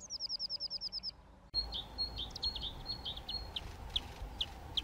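Eurasian nuthatch giving a quick run of about eleven high, clear, slightly falling notes, followed by scattered sharp chirps over a steady rushing background noise.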